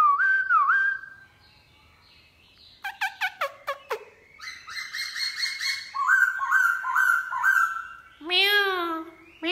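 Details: Black-throated laughingthrush in morning song with a wild-style voice: slurred whistles, a run of sharp clicking notes, chattering phrases, repeated whistled notes and a final falling series.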